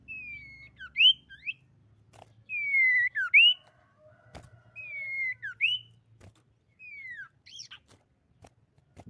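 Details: Common iora, described as a female, singing a lure song meant to draw other ioras into singing: a long, slightly falling whistle, then a sharp upslurred note, repeated about three times, with faint low hum beneath.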